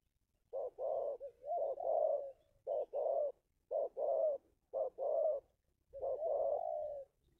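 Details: Local spotted dove call used as a lure for wild spotted doves, a series of low hoarse coos in short groups of two or three notes with brief gaps, over a quiet background.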